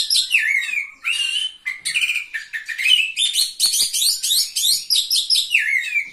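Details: Oriental magpie-robin singing at a bird contest on 17 April 2023, where it placed third: slurred whistles sweeping down, then a long rapid run of buzzy, mimic-like high notes and chatters without a break.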